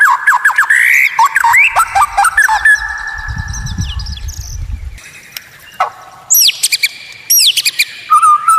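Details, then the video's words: White-rumped shama in a training recording described as having strange, unique and rare sounds; varied loud whistled phrases, sharp rising and falling notes and rapid chatter, with a low rumbling noise in the middle. "Masteran murai batu Suara Aneh unik langka bikin lawan ngamuk sambar materi"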